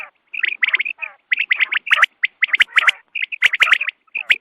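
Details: Quail at dawn, a hunting call recording: tightly packed, repeated bright chirps in short bursts of three to five notes, with brief gaps.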